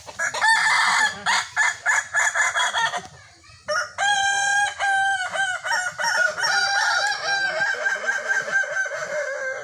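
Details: Kukuak Balenggek cocks crowing in a sparring match: dense rapid pulsed syllables at first, then long multi-part crows with steady and bending tones overlapping one another.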